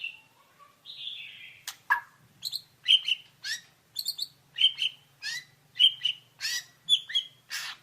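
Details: White-rumped shama song in a masteran recording: two opening whistles, then a steady series of sharp, bright chips and short whistled notes repeated about every half second.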